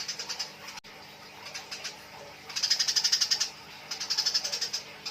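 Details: Eurasian tree sparrows calling as they fight, nyrecet chatter of rapid, evenly spaced high chirps rising in loudness to a dense run, then a pause and another burst.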